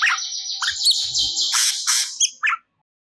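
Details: Crested jay (cucak cungkok) in song, used as training audio for songbirds: a long, buzzy whistled note overlaid with scratchy chatter for over two seconds, ending in two quick sharp notes.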